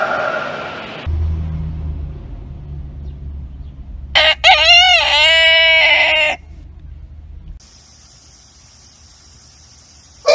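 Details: A rooster crows once in the middle, a wavering, warbling harmonic call about two seconds long. A low hum sits under it, a steady high whine follows, and abrupt edits cut in and out.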